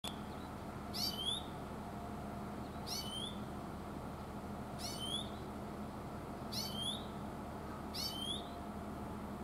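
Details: Oriental greenfinch calling in mountain woodland, a nasal "chuiin, chuiin" given about every two seconds: five bright sweeping notes falling then rising, over a steady low hum.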